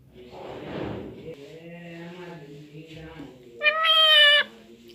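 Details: Nine-month-old pet parrot speaking Hindi in a room; a muffled rumble and quiet human voice fill most of the recording before one short, loud, high, strongly harmonic utterance near the end.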